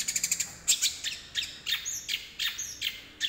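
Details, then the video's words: Long-tailed Shrike in full song, mimicking the chattering fight calls of sparrows: bursts of high, sharp chirps and squeaky notes about every half second, with no other clear sounds. "Cendet suara gereja tarung gacor"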